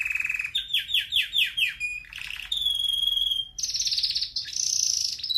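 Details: Singing red factor canary kept as a pet, a song used for training: steady low trill, repeated descending slurred notes about five per second, a buzzy burst, then sustained high trills changing pitch.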